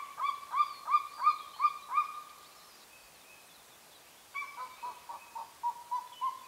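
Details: Golden eagle pair contact calls near the nest, Carpathian mountains, Northern Romania; a run of six ringing yelps, a short silence, then a softer series of yelping notes.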